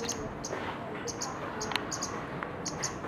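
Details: Scarlet-backed flowerpecker giving very high, thin ticking notes, short sharp clicks scattered irregularly, some in quick pairs, over a steady murmuring background.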